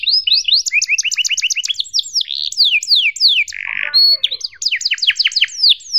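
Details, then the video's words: Canary tutor song for young canaries learning sounds, long continuous 'gacor' style with 'cuit cuit' notes: fast repeated rising chirps in rolling tours, then descending whistled slurs and a short buzzy burst, more rapid trills after. "PANCINGAN Kenari GACOR PANJANG EPS31 Cuit CUIT EMOSI AMPUH utk MASTERAN Kenari PAUD belajar BUNYI"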